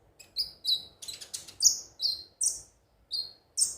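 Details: Konin (ruby-cheeked sunbird) song as a lure: a sequence of piercing, very high slurred whistles and a short harsh buzzy burst, notes spaced by brief gaps; otherwise quiet.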